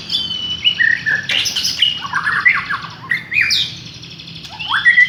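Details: Village white-rumped shama lure song: crisp whistled notes stepping down in pitch, a buzzy rattled passage, then high upslurs and a final rising whistle, with faint low hum beneath.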